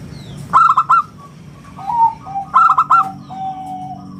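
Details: Local zebra dove, a frequent singer with a round, crystal-clear voice, kept as a lure and song model. Two bursts of rapid bright coos, each followed by a short series of lower, stepped coo notes.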